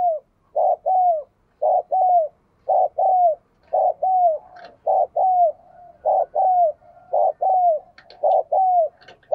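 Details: Decoy spotted dove cooing to stir wild doves into cooing quickly: steady series of low, mellow coo phrases, each a short doubled note then a drawn-out falling coo, repeated about once a second, with faint clicks in the background.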